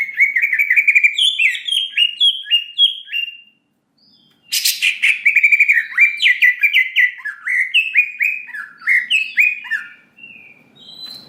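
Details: Greater green leafbird song used as a provoking lure for a fast emotional response: long runs of quick whistled, downslurred notes repeated about four per second, interrupted once by a harsh noisy burst.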